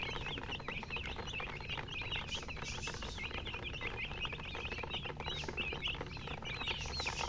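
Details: Many baby chicks chirp together, a dense run of thin, high, curling peeps with no pause, over soft low background noise.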